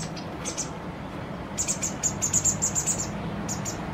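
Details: Fledgling White wagtail, close to independence, begging during feeding by its parent: a few isolated high chirps, then a rapid, regular series of bright piping notes, about two per second or faster, fading back to single chirps.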